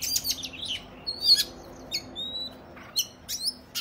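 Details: Oriental magpie-robin fighting song meant to provoke other males; scattered bursts of harsh buzzy notes, a few clear high whistles and brief chirps with quiet gaps between them.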